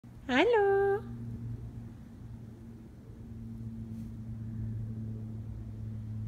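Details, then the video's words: A male cockatoo that rarely talks says his first word, a single "hello," brief, rising then level, with a harsh, reedy tone, followed by a steady low indoor hum. "the cockatoo says "hello""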